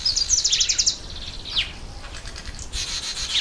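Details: Red bishop, breeding season: a rapid run of pulsed, buzzy notes opens, then squeaky slurred chips and a renewed sizzling buzz at the close.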